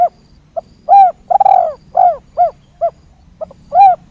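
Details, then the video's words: Spotted dove, known locally as tekukur, in a lively 'kuk 3' calling style used to lure wild doves; a series of low hollow coos, some paired, with a quiet low hum underneath. "Suara Tekukur Gacor Kuk 3"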